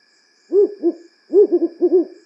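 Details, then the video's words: African wood owl (Strix woodfordii), nocturnal, calling after sunset: low, mellow repeated hoots, a quick double note, short pause, then a faster run of five or six bouncing hoots over a faint steady hum. "Sounds of the African wood owl"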